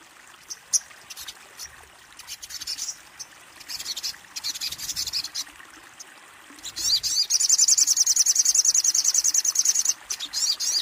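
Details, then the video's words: High-pitched song of the kolibri ninja sunbird: scattered thin chips at first, then a fast, even trill of rapidly repeated shrill notes lasting several seconds before a final short burst. "Suara burung kolibri ninja"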